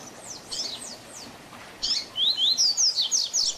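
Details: Double-collared seedeater singing the Tui Tui Zel Zel Diferenciado style, a tutor song for teaching young birds. Sparse high thin slurred notes, then a fast bright phrase of repeated downslurred whistles near the end.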